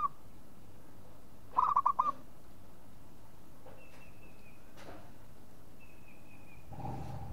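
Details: Local zebra dove giving one quick burst of five soft, rounded cooing notes that run together, with faint thin high whistles from other birds before and after, and a low rumble near the end.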